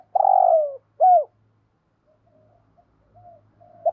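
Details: Spotted dove used as a decoy, 'thổ' voice, cooing: a long falling hoarse coo followed by a short sharp note, then faint quiet murmuring.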